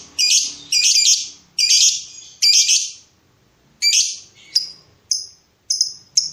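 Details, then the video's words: Lovebird luring and provoking a rival during breeding mood, giving four harsh rasping bursts nearly a second apart, then a squawk and several short sharp high chips. "BURUNG LOVEBIRD MENCARI LAWAN || LB MANAPUN PASTI NYAUT BUNYI"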